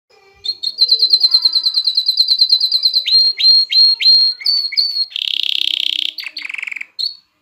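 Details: Canary song used to stimulate females to mate and encourage chicks to sing: a fast high trill of repeated notes, then descending whistled slurs, a harsh buzzy rattle and a final short whistle.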